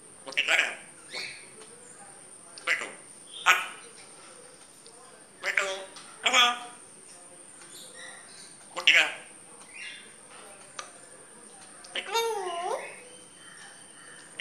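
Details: Grey parrot talking: a series of short word-like utterances spaced a second or two apart, with one sliding whistled call near the end, over a steady high electronic whine.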